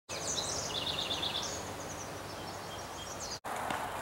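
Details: Pacific-slope flycatcher (Empidonax difficilis) at Mile Square Regional Park, Fountain Valley, Orange County, California, giving thin, high chirps and a quick run of short, even notes over steady outdoor background noise.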